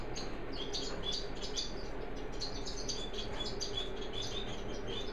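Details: Small high, thin chirps and short whistled notes come in loose irregular bursts from orange-breasted waxbills while they preen and cuddle, against a constant low background hum.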